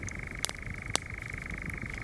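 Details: A European nightjar churrs at dusk on a late-spring evening in UK woods, close in a nearby tree: a steady mechanical whirring trill on one pitch, with two sharp crackles and a low distant road hum underneath.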